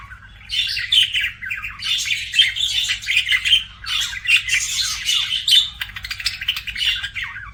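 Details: Pet budgerigars chirping with a dense, nonstop chatter of rasping squawks, squeaks and fast warbled notes, rising and falling in bursts over a low electrical hum.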